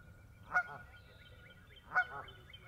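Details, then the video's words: A Canada goose gives two loud, nasal honks about one and a half seconds apart, each a short harsh blare, over a quiet background. "Goose Honking Sound"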